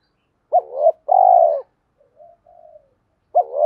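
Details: Coo of a spotted dove luring females and challenging rivals: a clipped two-note opening, a long steady hollow coo, then faint soft notes before the phrase begins again.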